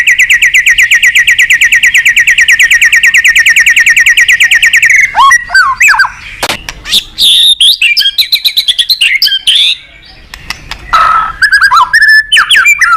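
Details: White-rumped shama song played to stimulate other birds to sing: opens with a long fast trill of repeated buzzy notes for about five seconds, then breaks into varied whistles, clicks and sharp chirps.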